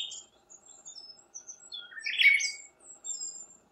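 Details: Siberian thrush song: a string of thin, high whistles and twitters building to one louder, buzzy, slurred phrase midway, then fading back to soft high notes.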